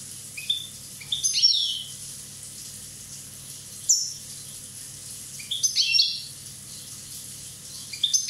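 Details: European goldfinch from Corsica, a year old, delivers several bright twittering phrases: short high chirps building into fast jangling trills, separated by brief pauses, with one sharp downward-sweeping note between them.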